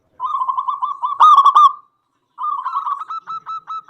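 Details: Local zebra dove singing strongly to draw other doves into song: a steady rolling run of short coos swells into a loud ringing burst, then after a pause a further run of notes ends in spaced single coos.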